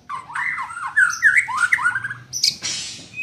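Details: Young white-rumped shama in training gives harsh, squawky chattering notes in a steady rough stream, ending with a burst of high hiss-like noise.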